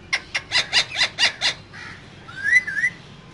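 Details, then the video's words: Two green parrots kept in a cage. A rapid series of seven harsh, hoarse squawks is followed by a soft nasal note and then a clear, rising and falling whistled phrase. "Two Green Cute Parrots Talking In Cage"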